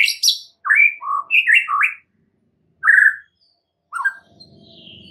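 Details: Master training song of an oriental magpie-robin (murai batu) for caged birds: sharp high sweeping notes and slurred whistled phrases, then isolated full whistles separated by silences, ending with a thin high note over faint low background hum.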